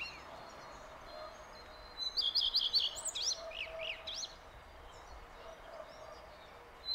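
A common redstart gives one brief, high song phrase: a few quick repeated notes, then a scratchy, tumbling twitter, over a steady hiss of background noise.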